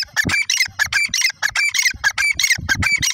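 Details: Grey francolin calling: a rapid, unbroken run of harsh, ringing notes about every half second, each carrying a bright whistled tone, loud and steady from start to finish.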